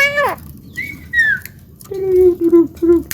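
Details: Pet Javan myna kept at home, a talking bird said to cough, laugh and call to girls: a falling harmonic squawk, two sliding whistles, then three nasal, speech-like syllables in quick succession, with faint background hiss.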